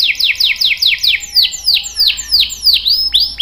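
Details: Canary singing energetically (gacor), used as a lure and tutor for young and silent canaries; a run of loud downward-sweeping whistled notes, about three per second, ending in sharper chirps.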